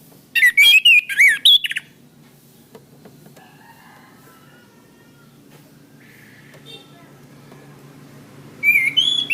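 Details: Orange-headed thrush song used as a master recording for training cage birds: a loud burst of rich whistled and warbled phrases with sharp up-and-down notes, then a long quiet pause before another whistled phrase starts.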